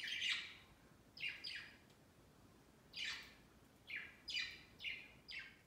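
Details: Budgerigars kept as pets climb over a big Christmas tree next to their cage on Christmas Day; a rapid series of about nine scratchy, descending chirps, some in close pairs, clear over a quiet indoor background.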